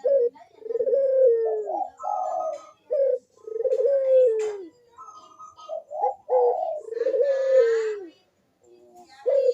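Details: Caged Barbary dove (burung puter) in full manggung cooing style, recorded as a lure to get lazy doves to coo; deep mellow descending coos in repeated phrases, each ending in a long gliding note, roughly every three seconds.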